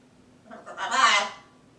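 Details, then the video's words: Pet female blue-and-gold macaw talking to herself: a single hoarse, rasping utterance that swells and fades over about a second. "Kopi-Blue & Gold Macaw"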